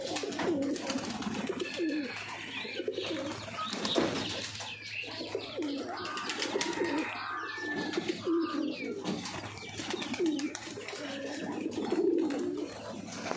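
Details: Kept pigeons in the morning, as the keeper arrives to look in on them: low, throaty cooing rolls on repeatedly throughout, several birds overlapping, with a few higher chirps and light background shuffling.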